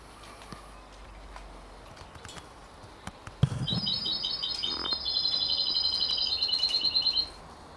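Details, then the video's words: A 33-day-old canary × European goldfinch hybrid gives a fast, high, twittering run of chirps lasting about four seconds, after a quiet start with faint background hiss. "canari x chardonneret a 33 jours"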